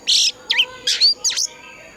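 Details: Oriental magpie-robin with a mature wild-forest voice, singing to stir other birds: four bold notes in two seconds, mixing broad buzzy blasts with bright upward-sweeping whistles.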